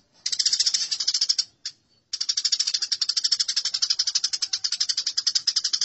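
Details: Sparrow fight recorded as masteran: Eurasian tree sparrows give one burst of rapid harsh chirps, then after a brief pause an unbroken stream of scratchy chatter lasting nearly four seconds.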